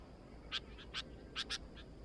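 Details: Chattering sooty-headed bulbul giving four short, bright chirps in quick succession, with two softer notes between them, over noticeable low background rumble.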